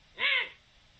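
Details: Recorded 7 October 2020, a Eurasian eagle-owl utters one quick bowed call right at the start, rich in harmonics, followed by quiet background hiss.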